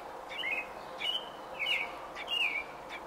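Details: Robin, nesting day 28, June 5, 2018: four bright whistled phrases, each rising then dropping, spaced about every 0.7 seconds, over a steady hum.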